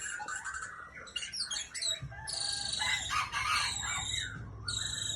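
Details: ['Breeding-stock white-rumped shama singing a lively, varied song: rapid high chattering notes, then long ringing whistled phrases and rich warbles mixed with buzzy notes, pausing briefly between bursts.']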